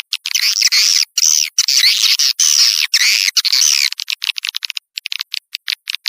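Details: Outdoor swiftlet attraction call: loud, buzzy twittering phrases, each about half a second long and rising then falling, followed by a run of short, dry clicking chirps.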